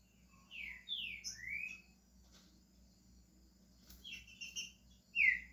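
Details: Green-winged saltator from Brazil starting its song: a few slurred whistles, some falling and some rising, against a low steady hum, then scattered short notes and one final loud downslur.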